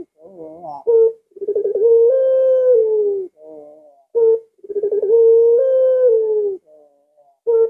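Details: Puter pelung dove recorded at midnight on a Thursday night, giving stuttered opening notes that run into a long drawn, steady mid-pitched coo, with two full calls about three seconds apart and short clipped notes between.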